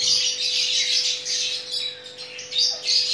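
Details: Chattering lory, also known as Nuri Ambon, Maluku or Ternate parrot, recorded while mating: dense run of shrill, harsh chirps and squeaks that rise and fall almost without pause, with a steady faint electrical hum underneath.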